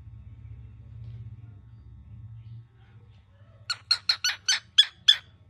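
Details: Very angry baby cockatiel indoors: after about three seconds of low room hum, seven harsh, rasping squawks come in quick succession, roughly three each second.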